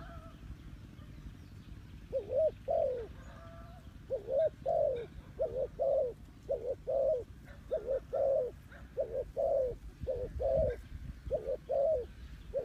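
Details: Decoy spotted dove calling to lure in wild doves: a long, fairly regular series of low, rounded coos, about a dozen notes in quick succession over a constant low hum.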